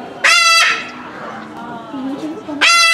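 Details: A Moluccan cockatoo at a zoo in Omiya Park, Japan, filmed in December 2017, keeps calling. Two raucous, grating screeches come about two seconds apart, with quiet human chatter in between.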